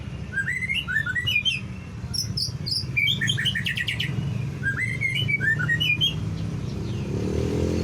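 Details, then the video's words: White-rumped shama song intended to trigger other shamas: repeated phrases of bouncing whistled notes mixed with sharp high clicks and rattles, set against a continuous low rumble. "PANCING MURAI BATU BUNYI CESS PLENGG"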